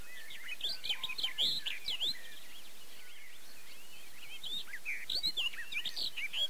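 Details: At Erdőhorváti in Hungary's Tokaj region in May, a barred warbler gives two bursts of fast, scratchy, chattering warbling with squeaky high notes. The bursts are separated by a short pause, with a low hum underneath.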